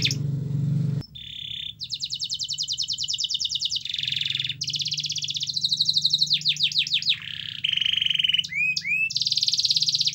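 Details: Canary song used to prompt other canaries to sing: long sequence of rolling trills at varied speeds, buzzy rattles, and swooping looped notes, with a low steady hum underneath.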